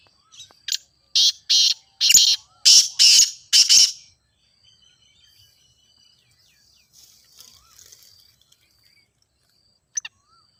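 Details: Grey francolin (teetar, ghogha teetar) calling, used as playback to prompt a kept bird to call. A run of loud, harsh, broadband notes in quick succession over about three seconds, then near silence with faint scratchy sounds.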